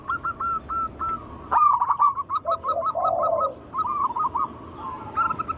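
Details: Zebra doves of the local type sing as a lure recording meant to set other doves singing; hooked coos repeated rapidly give way to a steady rattling series, then a low purring roll.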